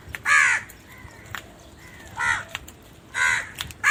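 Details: Four loud, drawn-out crow caws, rough and nasal, separated by short gaps with faint softer calls in between.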